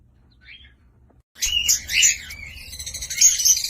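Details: Cockatiel with one soft note, a short silence, then an abrupt stream of loud, scratchy chirps and whistled squeaks.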